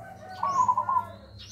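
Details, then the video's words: Tame pet zebra dove, about one year old, hand-fed since young, singing in the deep, full-voiced nggayer style: a single short trilled coo, steady and slightly wavering, lasting about half a second over faint background hum. "Suara Nggayer Burung Perkutut Raja Super Besar dan ngebas"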